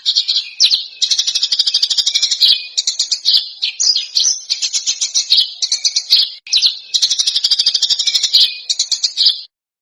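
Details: Contest-bird tutor song in a dense, coarse screeching style with sharp bursts: almost continuous harsh, buzzy, high trills lasting nearly ten seconds, broken only by brief gaps.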